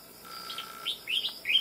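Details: Red-whiskered bulbul recently trapped from the wild after almost two months of effort, said to sing quickly with a loud ringing voice; a brief burst of three or four rising, liquid chirped notes over a steady faint tone.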